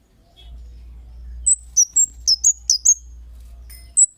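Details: Kemade bird's 'cit' lure call meant to draw replies from other birds: about seven thin, very high, piercing chirps in quick succession after a low rumbling background, then one last chirp after a pause.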